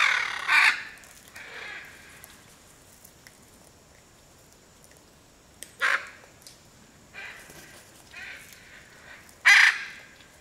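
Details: Harsh, loud squawks of a Hyacinth macaw in the cerrado at Piaui Cerrado Lodge, Brazil; sudden raucous screeches separated by several seconds, with fainter grating calls in between and a quiet natural background.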